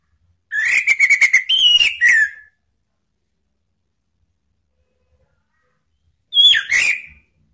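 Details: Orange-headed thrush call used to provoke rivals: a stuttering series of rapid buzzy pulses ending in a downslurred whistle, then after a long silence a short rough burst.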